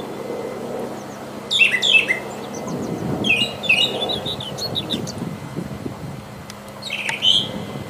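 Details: A wild Brown Thrasher sings short bursts of rich, varied whistled and chattering phrases, grouped in clusters a couple of seconds apart, over a low background rumble.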